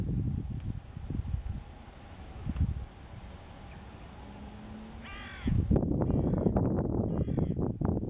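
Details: Hooded crow in Cyprus giving a short, hoarse caw partway through, followed by fainter rasping caws, against heavy low rumbling background noise.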